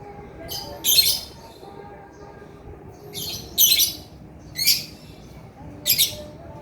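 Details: Male lovebird calling with harsh, high, scratchy squawks, about four bursts spaced one to two seconds apart.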